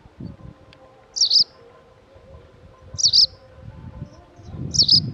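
White wagtail giving three sharp, high double-note chirps, roughly every two seconds, over a faint low rumble.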